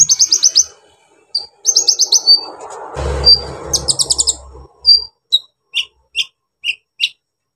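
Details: Brown-throated sunbird singing, used to rile up other sunbirds: rapid strings of high chirps, then a brief low rumble in the middle, ending with single sharp notes spaced about every half second.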